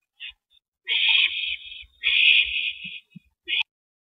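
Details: At a nest where one owl brings a rabbit to its mate, recorded at 8:15 PM on April 19, 2012: a brief rasp, then two long, breathy, hissing screeches, and a short harsh note at the end.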